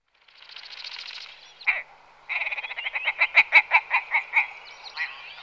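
Willow Ptarmigan giving a harsh, croaking rattle: a low grating burst, then a run of about a dozen clipped, nasal notes that quicken and then slow.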